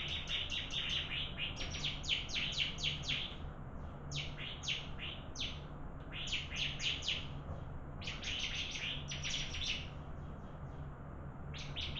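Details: In a singing contest, bar-winged prinia deliver long bursts of rapid, high, ticking chirps, roughly four per second, in repeated phrases with brief gaps, over a low steady hum.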